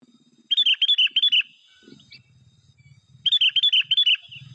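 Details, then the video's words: Wild bulbul at a netting site giving two short bursts of quick, chirpy bubbling notes, about six in each burst, separated by a gap with faint low murmuring. "burung kutilang jambul di alam liar"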